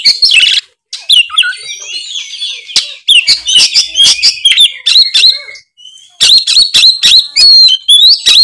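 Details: Oriental magpie-robin (kacer) singing full 'gacor ngeplong': a loud continuous run of high whistles, rapid chips and descending slurs, briefly pausing before another vigorous phrase of sharp repeated notes.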